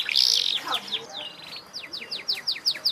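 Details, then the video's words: Canary singing: a loud harsh burst at the start, then a softer run of quick descending notes repeated several times per second over a noisy background. "kenari gacor"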